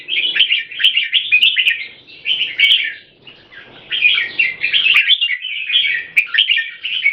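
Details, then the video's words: Red-whiskered bulbuls, a pair in aggressive singing contest, each bird striving to out-sing its rival by frequency of song (butir); continuous bubbly, fast chirping phrases run almost without break, with a few sharp clicks. "Birds show aggression by Butir - Singing Frequency"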